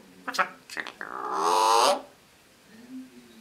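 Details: Indoor pet female eclectus parrot imitating a man's voice while swaying back and forth; a few clipped syllables lead into a drawn-out, hoarse harmonic word, then a soft low murmur.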